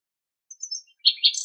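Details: Brief fragment of common nightingale song in Greek nature: a soft high whistled note followed by two loud, rasping chirped bursts, short and clean with no other sounds.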